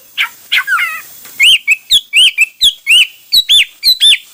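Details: Hwamei song in many styles: a few falling slurs, then a steady run of loud, arched whistled notes, each rising and falling, about three per second.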